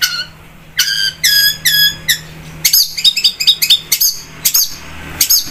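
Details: Vigorous long-tailed shrike song, meant as a lure for other birds: a low whistle, then rasping, ringing squawks in tight groups, ending in rapid chattering notes, over a steady low hum.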